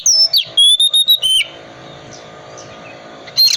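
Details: Oriental magpie-robin, calm 'dingin' type, used to prompt silent birds to sing: a quick burst of high whistles and chirps in the first second and a half, near silence, then another sharp note at the end.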